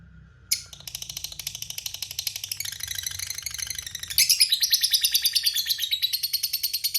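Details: After a low hum, a lovebird bursts into a long rapid-pulsed chattering trill, steady at first, then louder and buzzier from the fourth second on.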